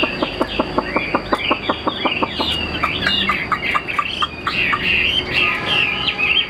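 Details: Caged Chinese hwamei begins with a rapid train of sharp, evenly spaced clicks, then breaks into loud looping whistled phrases, with a faint continuous whine in the background.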